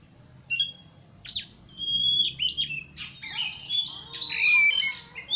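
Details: White-rumped shama singing to provoke a rival; scattered sharp notes and short whistles building into a dense, chattering run of varied phrases.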